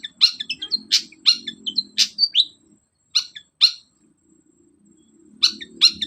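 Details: Long-tailed shrike song as a lure for a bird reluctant to sing: harsh bursts mixed with short whistled and chattering notes, in a fast series, pausing and then resuming, with a faint low murmur beneath.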